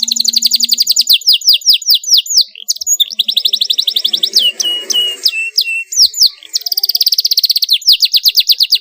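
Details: Canary singing loudly and continuously, a sharp rolling song meant to prompt young canaries to sing. Fast high rattling trills alternate with a run of slurred downward whistles, then the rapid roll returns.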